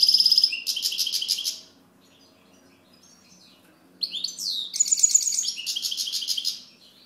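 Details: European goldfinch song in two phrases: fast buzzy trill and twittering notes, about two seconds of near silence, then another tumbling, liquid twittering phrase with rattling elements.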